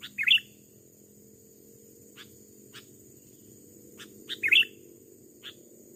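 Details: Sooty-headed bulbul (kutilang) calls during trapping with a decoy in an overgrown rubber plantation, an aggressive wild male fighting the decoy: two short bubbly chirp phrases a few seconds apart, with scattered faint clicks.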